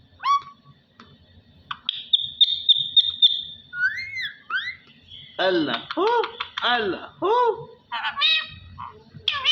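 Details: A pet parrot talking, reportedly saying "Allah Hoo". It opens with a held, whistled note, then loops through swooping tones into rapid, voice-like syllables that arch up and down. A steady low hum runs throughout.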